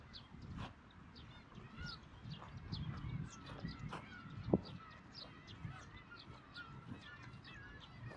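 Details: Black-tailed gulls at the Kabushima breeding colony in Hachinohe, Aomori, Japan, famed for 30,000 birds, with chicks present, on 10 June 2020, filmed with a GoPro HERO8: dense overlapping nasal mewing and short cries from many birds over steady low wind rumble.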